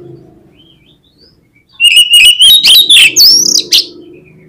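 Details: Over a low background hum, an oriental magpie-robin (kacer) starts a bright song: a sustained rising whistle running into rapid twittering and looping high slurs, ending abruptly.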